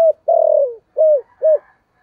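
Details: Spotted dove cooing in the thổ voice style as a lure to pull wild birds to the perch: a long, level coo falling at its end, followed by two rounded arched coos and faint high twittering.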